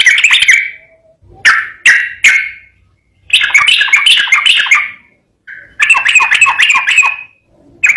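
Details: Yellow-vented bulbul in gacor ropel garuda song, recorded clearly: short bubbly bursts separated by pauses, then two longer runs of quick warbled, slurred notes, each ending with a drawn-out whistle.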